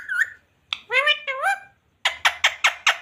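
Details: Parrot speaking words such as radhe radhe and mummy papa: a squeaky word, two warbling voice-like syllables, then five rapid harsh repeated notes.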